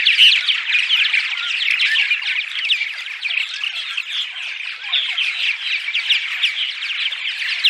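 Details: Daytime purple martin chatter played to attract migrating martins to nest housing: a thick, unbroken mass of rapid chirps, warbles and squeaky notes from a group of birds.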